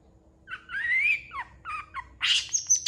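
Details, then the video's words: A long-tailed shrike sings energetically and responds quickly to other shrikes. Its varied phrase runs from a slurred rising whistle to falling chirps, then a harsh burst and a thin high whistle, over a faint steady hum. "CENDET GACOR FULL ISIAN"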